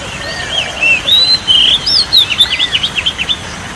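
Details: Oriental magpie-robin song used as relaxation therapy for a stressed or quiet bird: high whistled sweeping phrases, then a quick run of repeated short rising notes, over steady background hiss.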